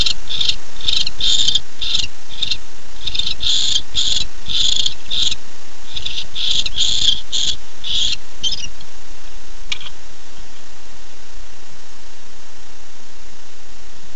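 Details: Barn owl pair at night, the female answering the male's return at 10:37 pm: fast clicking bursts in clusters for about eight seconds, then stopping, leaving a quiet background with one faint click.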